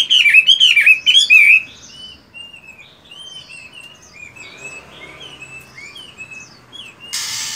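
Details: Caged fighting Chinese hwamei in moult, practising its voice in the morning: a loud burst of rich, looping whistled phrases for about one and a half seconds, then faint scattered notes and a brief noisy rush at the end.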